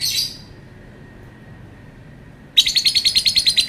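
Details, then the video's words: Lovebird giving a short shrill burst, falling quiet, then breaking into a rapid, piercing rattling trill. "Burung Lovebird bunyi suara panjang bikin geram"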